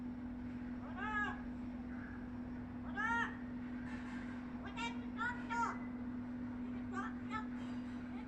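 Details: A noisy talking bird producing short, voice-like squawks with stacked harmonics, spaced unevenly in bursts of one or two, over a steady low electrical hum.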